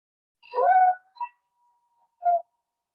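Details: Recording of a Barred Owl scream, in a talk on Connecticut owls: a harsh, raspy half-second scream, then a short clipped note and, after a pause, a second brief scream.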